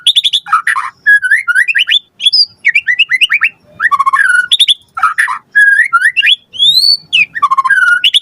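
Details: Murai batu (white-rumped shama) in full, lively song with many fill-in phrases, played as a lure to prompt other birds to respond: varied whistled phrases, fast slurs and buzzy accents, with similar phrase groups returning every few seconds.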